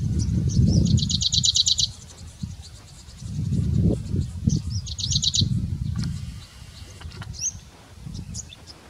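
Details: Grey-breasted Prinia (Prinia hodgsonii) at Bundala National Park, Hambantota, Southern Province, Sri Lanka, in January 2019; two short bursts of rapid, high, buzzy trilled notes, the first longer, over loud low rumbling background noise.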